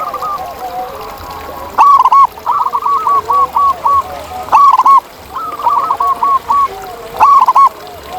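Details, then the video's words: A wild zebra dove repeats strong, rolling coo phrases about every two and a half to three seconds. Each phrase is followed by a string of softer stuttering notes, with other doves cooing behind. "Masteran Kutut di Alam Ini Bikin Burung Kamu Kaya Bersuara Emas!"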